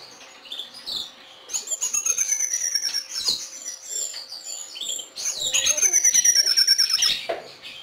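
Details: White-rumped shama from a Kebumen, Indonesia breeding farm delivering two long bursts of song. Each burst is a thin, high, slightly falling whistle over quick chattering notes, separated by a brief softer pause.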